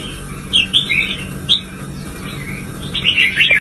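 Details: Pet red-whiskered bulbul excited into intense song, giving short bubbly whistled phrases with brief pauses between, ending in a louder rapid flourish; faint hum underneath.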